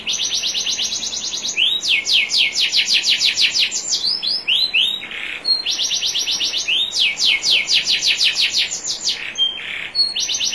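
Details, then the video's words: Canary song used as a master recording to train other canaries: long, rapid rolls of high rising notes, broken by short buzzy and swooping phrases, carrying on without pause. "MASTERAN KENARI JUARA NASIONAL NEW 2021 ISIAN SUPER MEWAH"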